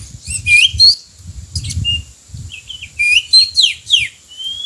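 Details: A wild-caught Oriental magpie-robin sings a fast, varied run of sweet whistles, slurred notes and scratchy bursts, mostly high-pitched, with faint low rumbling beneath.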